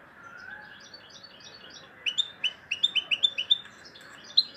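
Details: European goldfinch in loud song: soft, distant twittering at first, then a bright series of sharp, repeated high chirps and short trills over a faint background hiss.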